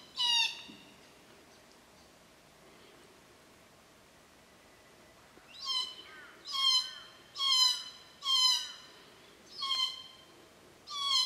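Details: One creaky call, a long quiet pause, then a run of about seven wheezing, overlapping calls from glossy black cockatoos feeding in Casuarinas at 4.30pm on a Cootharaba property, June to September.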